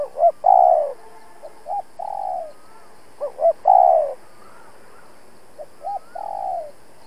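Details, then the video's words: Decoy spotted dove calling to fight off rival wild doves: steady repeated hoot-hoot-cooo phrases, the long final coo sliding downward, with thin faint whistles from another bird behind. "Cu Gáy Mồi Cây thúc gù đấu bổi cực sung\ Cu gáy kích bổi nhanh nổi"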